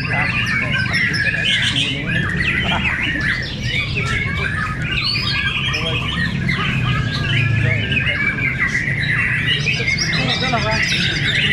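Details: Fierce song duel between fighter white-rumped shamas at Cibinong. Varied whistles, twittering runs and chips come in dense bursts, with a constant low droning hum and murmur in the background.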